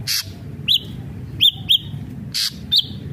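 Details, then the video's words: Ashy drongo singing energetically: loud harsh rasping bursts alternate with short, ringing, upslurred whistled notes that drop at the end, about one per second, over a faint low rumble. "srigunting abu abu gacor"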